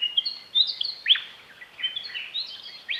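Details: Willie wagtails counter-singing in the dark at dawn in Outback Australia, each bird giving the same regional-dialect song, bright sweet chattering phrases between about two and six kilohertz, several distant birds alternating across open country.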